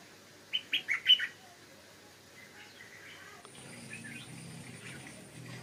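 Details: A wild Stripe-throated Bulbul in its territory on a hillside durian orchard in Thailand, where a young decoy bird got loose, gives one quick, bubbly phrase of four mid-pitched liquid notes, then quiet with soft hiss and faint distant chirps.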